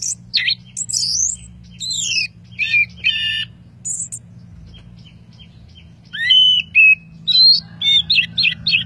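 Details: Orange-headed thrush singing energetically, its song packed with varied inserted phrases: swooping whistled slurs, rapid buzzy rattles and clear rising notes, delivered in irregular bursts roughly twice a second with a quieter stretch midway, over a low background hum.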